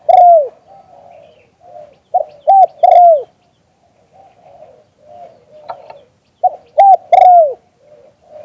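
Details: Spotted dove recorded live in Thailand, giving loud, mellow cooing phrases: two or three quick clipped coos followed by a longer downward-curving coo, repeated twice, with softer background coos between.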